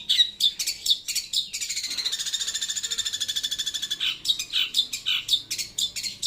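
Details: Long-tailed shrike sings loud and clear. Sharp chips give way to a long, even, buzzing trill lasting over two seconds, then resume as scratchy notes.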